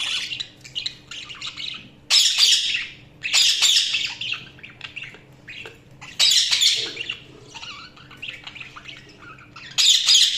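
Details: Several bursts of harsh, scratchy budgie chatter and squawks, each lasting around a second, interspersed with quieter chirps and warbles, repeated throughout over a faint low hum.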